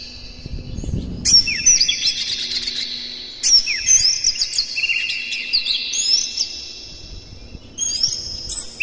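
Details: White-rumped shama singing as a lure to excite other shamas: three loud bursts of varied whistles and quick chirps, each fading into a held ringing tone, with faint low background hum.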